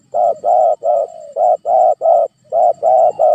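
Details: A spotted dove, played as a lure to make quiet doves answer, gives low, mellow coos in quick runs of two or three notes, each run broken by a short pause, with nothing else heard.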